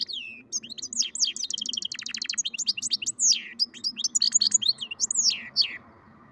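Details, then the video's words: Hybrid goldfinch × canary delivering a bright, rapid song of clipped trills and descending whistled sweeps over a faint low background hum. "καρδερινοκαναρο κελάηδημα (European Goldfinch carduelis mule singing)"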